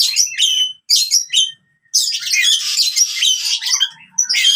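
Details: Oriental magpie-robin fighting song, played to birds that have gone quiet: two quick chirpy phrases, a short silence, then a long harsh, buzzy, crowded burst fading into soft low whistles and a final chirp.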